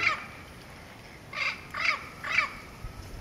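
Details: Turquoise-fronted amazon in the Pantanal, Pouso Alegre, Brazil, recorded 23 September 2013: a brief raspy squawk, then a pause, then three loud grating calls about half a second apart, coarse and nasal with strong overtones.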